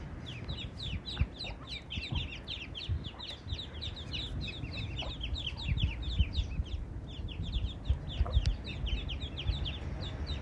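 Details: Eastern spot-billed duck brood with its mother, straying far from ponds or rivers; a continuous chorus of rapid, high, thin peeps from many ducklings, with low rumbling and scattered knocks beneath.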